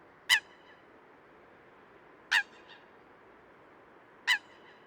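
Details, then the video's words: A Eurasian coot (Fulica atra), recorded in the wild, gives three loud, explosive single notes, one about every two seconds, sharp and slightly nasal, over a soft steady background hiss. "Eurasian Coot – Bird Calls & Sounds"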